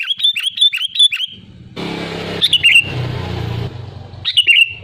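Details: Sooty-headed bulbul with a quick run of repeated chirpy whistles, then scattered bright phrases with falling tails, partly masked by loud engine and traffic rumble.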